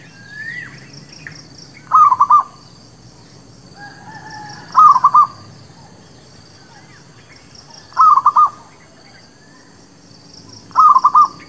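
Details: Lure recording of zebra dove, the local perkutut, for trapping and new birds: four quick bubbly coo phrases about three seconds apart, with fainter whistles and chirps of other birds and low hum between.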